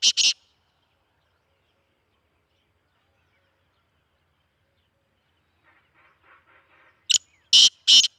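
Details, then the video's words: Black francolin, a Sindhi speeder type kept as a chakri wala bird: a short harsh burst opens, then after long silence a faint rattle and three loud grating notes close the recording. "Speeder Kala Teetar Kala Teetar Ki Awaz Sindhi Kala Teetar Chakri Wala Teetar"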